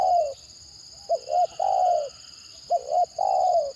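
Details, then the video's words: Spotted dove giving its stammering (gagap) coo: the tail of a long coo, then two complete phrases of clipped double notes ending in a sustained falling coo, with a steady high whine in the background. "Mendengar Suara Tekukur Gagap Ini Burung Lain Pasti Responnya Gacor"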